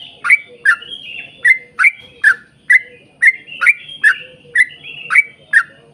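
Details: Yellow-vented bulbul singing in a long rapid 'ropel panjang' style, used as a lure to get other bulbuls singing: loud bubbly chirped notes around two to three per second, each with a sharp upward flick, steady throughout.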